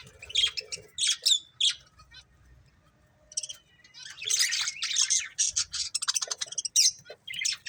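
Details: Budgerigar breeding pair giving sharp squeaky chirps, then a dense run of fast, rhythmic scratchy chatter in the second half.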